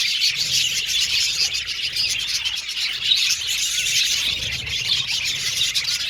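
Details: An aviary group of budgerigars keeps up a steady, shrill chirping chatter, many voices blending into a bright, busy chorus.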